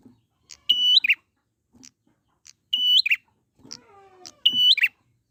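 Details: Prinia recorded in the wild as a singing lure: flat, sustained whistles each closed by a quick chirp, repeated three times, with short high ticks in between and a faint lower droning tone in the middle.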